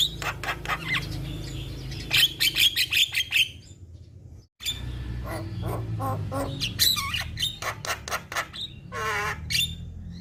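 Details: Jalak kebo (black-winged starling) singing: rapid strings of sharp chips and whistles, a brief silence, then more varied squeaky and buzzy notes, over a steady low hum.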